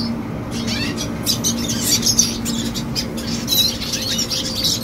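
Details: Young red siskin singing: a fast run of high, scratchy twitters and chirps with short buzzy notes, set over a steady low electrical hum.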